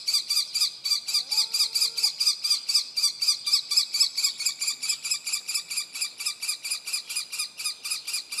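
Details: Common kestrel fledgling begging with an unbroken train of loud, shrill, repeated notes, about two per second throughout, with a brief faint whistled sound early on.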